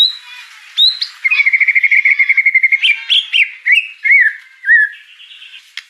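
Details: White-rumped shama song with mimicry: an upslurred whistle, a rapid even rattle of repeated notes, then scattered slurred whistles and chirps.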